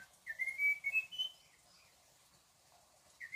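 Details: Munchique Wood-Wren (Henicorhina negreti), endemic to Colombia, singing at Alto La Eme: a rapid series of clear, high whistled notes rising slightly over about a second, then a pause and a new phrase beginning.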